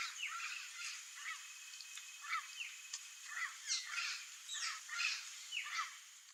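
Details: A wild turquoise-fronted amazon in its natural habitat gives harsh, squawky notes about twice a second, some rising and some falling, over a steady high hiss of insects.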